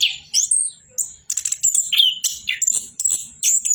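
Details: Orange-headed thrush in continuous song, mixing clear upslurred whistles, scratchy high trills and brief downward notes in fast, uneven bursts separated by short pauses.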